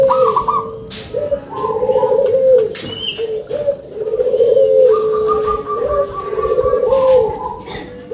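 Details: Big-voiced local zebra dove cooing steadily: long, rolling, purring phrases that rise and fall, with brief gaps between them, and a few faint chirps from other birds.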